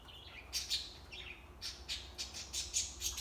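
A cockatiel grinds its beak in soft, dry, scratchy bursts that repeat in quick succession.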